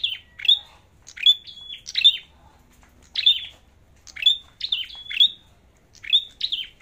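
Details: Competition song of a red-headed flowerpecker, with high, clear phrases of piercing chips and brief flat whistles. Each phrase sweeps downward, and they recur irregularly about once a second.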